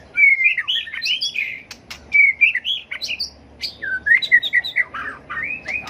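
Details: White-rumped shama performing a fighting song while flicking its tail, used for training: flowing phrases of clear whistles and warbles, each opening with a bright rising whistle, separated by brief gaps and clicks.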